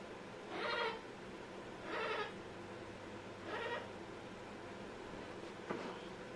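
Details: An Amazon parrot making funny sounds, here three loud bleat-like nasal calls roughly every one and a half seconds, followed by a faint short note.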